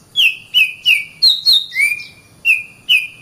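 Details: Oriental magpie-robin tutor song for other birds: a steady series of loud whistled notes, mostly falling slurs, with one lower upswept note, roughly three per second.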